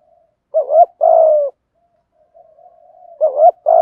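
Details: Thổ-style cooing of spotted doves, cock and hen, played to rouse wild birds: one low two-part phrase, a brief wavy note and a drawn-out level coo, then a pause with faint murmurs before the next phrase starts.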